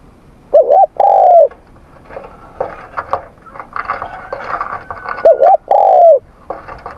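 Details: Spotted dove during morning voice training: two loud cooing phrases, each a short wavering note followed by a longer falling coo, separated by several seconds of quieter background chatter and faint other birds.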